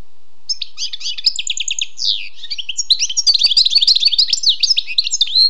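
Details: Wild European goldfinch sings a rapid jumble of tinkling chirps and slurred twitters that grows denser and more continuous in the second half.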